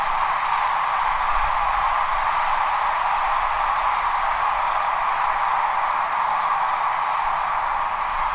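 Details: A steady, unchanging band of hissing, droning noise fills the recording throughout, with no animal calls heard.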